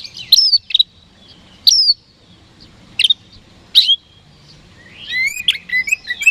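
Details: Oriental magpie-robin (kacer) singing to draw rival birds into responding: four loud sharp whistled phrases spaced over a second apart, followed by a busy jumble of quick chirps and falling notes.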